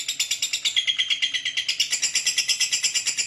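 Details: Long ngekek (ngekek panjang) chatter from a lovebird: unbroken, shrill, pulsing notes, steady and regular at a little over two per second, high-pitched and buzzy throughout.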